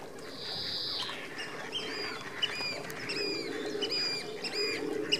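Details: Captive Bewick's swans at WWT Slimbridge, a family with newly hatched cygnets showing parental protective behaviour, call together in short, yelping, slightly nasal notes in overlapping bursts against a steady murmur of other birds.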